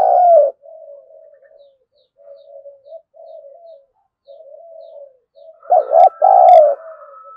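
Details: Spotted dove kept as a lure to provoke wild doves to fight: a coo ending, long soft murmured notes, then a loud two-part coo with a sharp click and a thin higher tone behind.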